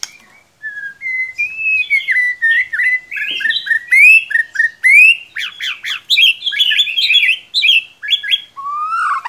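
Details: White-rumped shama performing a long lure song for a quiet shama: clear whistles rising steadily in energy into dense, rapid slurred phrases and harsh rasping notes, ending with a falling whistle.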